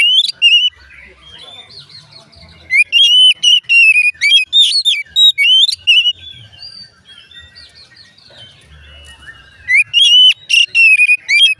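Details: An Oriental magpie-robin, whose singing is said to make other magpie-robins sing too, delivers repeated loud whistled phrases with rising slurs and sharp high notes, broken by softer warbling interludes and roughly four fast bursts a second.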